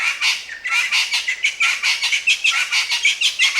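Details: Crested francolin calling loudly: a continuous run of harsh, grating, rattling notes, closely packed and repeated without pause, rasping and high-pitched throughout.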